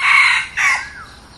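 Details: Tail end of a crow from a new decoy red junglefowl: a hoarse, rasping note, a second shorter burst that slides down, then fading quiet.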